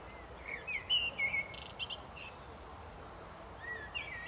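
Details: A common blackbird gives a quick burst of rich warbled notes, then falls quiet before a last soft whistle. Buzzy higher notes from another bird overlap it, with faint hiss behind.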